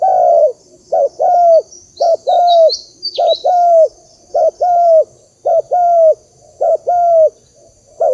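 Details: Spotted dove call played to lure birds into a trap: evenly repeated low coo phrases, short twin notes followed by a sustained slightly descending coo; brief high twittering from another bird partway through.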